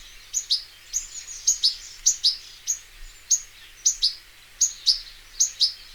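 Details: Wild European goldfinch, known locally as Taqtaq Shouk: bright, high, metallic notes, often in quick pairs, repeated every half second or so against faint background hiss.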